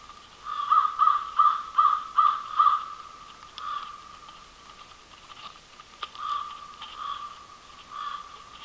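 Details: An American crow at a residential feeder in Manitouwadge, Ontario, on 24 March 2020, gives a quick run of six harsh, nasal caws, then scattered fainter caws from other crows farther off.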